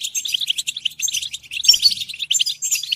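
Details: Goldfinch chattering song of quick tinkling twitters and high buzzy notes, with a soft thump partway through.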